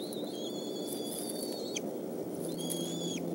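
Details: Bald eagles at the Decorah nest on 17 May 2014 during the evening meal, adult male bringing fish to the eaglets, 5:19 to 6:25 pm; thin high whistled calls sliding slightly downward, repeated in two series over steady background noise.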